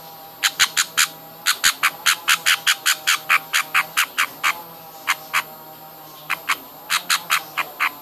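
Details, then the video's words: Baby budgerigars being hand-fed give harsh, raspy squawks in quick pulsed bursts, about seventy a minute, with brief pauses between runs; a steady low hum runs underneath. "hand feeding baby budgies"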